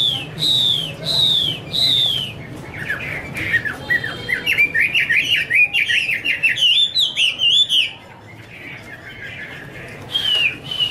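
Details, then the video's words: Female Chinese hwamei singing 'te' with a male as backdrop: three loud falling whistles, then a long rapid stream of chattering, bouncing notes, a pause, and more falling whistles at the end. "Chim hoạ mi: Mái te đỉnh cao của năm _ có chim trống làm nền"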